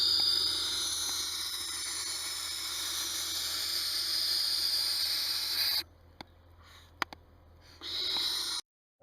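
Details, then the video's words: A Barn Owl gives a long, breathy, steam-like defensive hiss for about six seconds, then a few sharp beak snaps in near silence and a brief second hiss. Such sounds are made when threatened or disturbed. "Snaps and hisses. Barn owls can also produce clicking or snapping sounds with their beaks, especially when threatened or disturbed."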